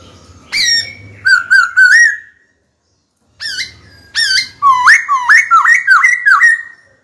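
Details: White-cheeked laughingthrush in a cage singing to call a rival to fight: short whistled bursts, a silent gap, then a fast string of looping, rising whistles repeated about six times.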